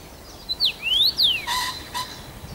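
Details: Common rosefinch, a first-summer male singing at Bazel, Belgium, 7 June 2015: a clear whistled phrase with falling, rising and falling glides, followed by two brief rustling or wing-like bursts.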